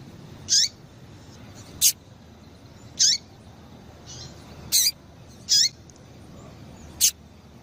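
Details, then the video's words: Female double-collared seedeater calling to stimulate males to sing: short, high buzzy peeps with a downward-hooked tail, given singly at irregular gaps of about one to two seconds over a quiet background. "Piado de Fêmea de Coleiro"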